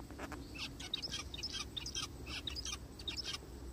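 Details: A forest with zebra finches calling: rapid, overlapping nasal chirps and buzzy notes packed closely together, set against a continuous low background drone.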